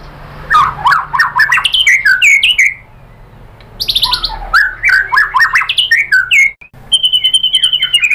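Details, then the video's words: White-rumped shama (murai batu) singing after being provoked by a lure recording to show its full repertoire of 'tembakan' phrases: rapid, varied whistled and chattering notes, a short pause, then more whistled bursts ending in sharp high, repeated notes. "pancingan MURAI BATU agar bongkar materi TEMBAKAN"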